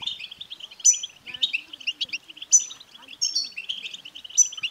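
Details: European goldfinch betbta chatter for urging a male goldfinch to sing: busy twittering with bright high trilled bursts about every second and a half, and faint voice-like sounds underneath.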